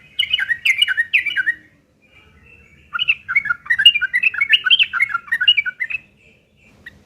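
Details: Yellow-vented bulbul delivering a rough fighting song as a lure for other birds; a short burst of rolling notes, a pause, then a longer, dense run of bubbly slurred phrases.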